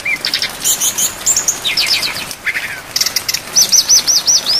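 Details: Brown-chested jungle flycatcher singing filler phrases for songbird training, rain falling: mixed high chirps and stuttered notes, ending with six loud repeated arched whistles in quick succession.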